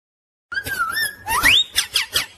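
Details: A pet parrot talks in squeaky, high tones: a level whistle, then a sharp upward sweep, followed by three quick descending chirpy syllables.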